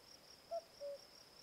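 Common cuckoo giving one soft, hooting two-note cu-coo, the second note lower and longer, over a steady high insect trill.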